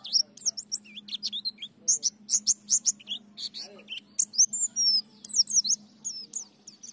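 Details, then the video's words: White-eye therapy song in ngalas, nembak and ngriwik gacor style. Continuous busy, high twittering with sharp chips, slurred whistles and rising and falling notes, over a steady low hum. "Terapi Pleci Ngalas Nembak Ngriwik Gacor"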